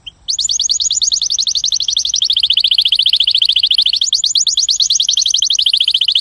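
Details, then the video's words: A canary sings a long, bright rolling trill of rapid, high notes, shifting pitch in sections, with no other sounds. "голос канарейка звук канарейка"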